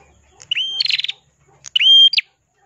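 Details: Ashy prinia (prenjak kelawu, red-headed), an energetic 'crystal-voiced' singer used as a tutor for songbirds: a short high note, then a long steady whistle, a rapid buzzy rattle and a sharp upward flick. Two phrases in a quiet setting.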